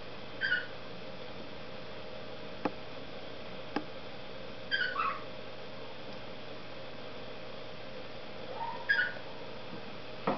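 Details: Cockatiel singing: three brief whistled phrases near 0.5, 4.8 and 9 seconds, each a short sliding note with bright overtones. Faint clicks and a steady low hum fill the quiet gaps in between.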